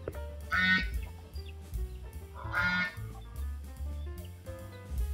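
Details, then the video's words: Farm goose crying while walking around the house: two drawn-out, nasal honks about two seconds apart, over steady background music. "Beautiful Cute Goose Crying and walking around the house"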